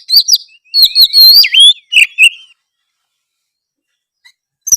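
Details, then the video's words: Oriental magpie-robin singing to stir quiet birds into answering: short rich whistled phrases, rising and dropping slurs with a few ticks, ending after about two and a half seconds in silence. "gakbutuh waktu lama kacer malas bunyi drob pasti langsung respon denger suara kacer gacor ngeplongg"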